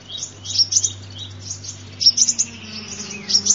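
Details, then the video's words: High, thin sunbird twitters played as a lure, in three bursts of rapid chirps separated by brief pauses, with a continuous low hum and a faint sliding tone underneath. "tiếng chim hút mật"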